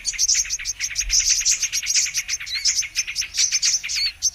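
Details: Trapping lure of the Brown-throated sunbird: a short, lively spell of shrill chips about ten per second with sweet, thin whistles sliding up and down, continuous from start to finish.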